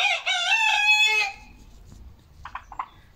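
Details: Domestic chickens kept as hens, recorded Monday 10 October 2022, a day with eight eggs: a loud, harmonic, drawn-out crow-like call lasting over a second, then quieter short clucks near the end.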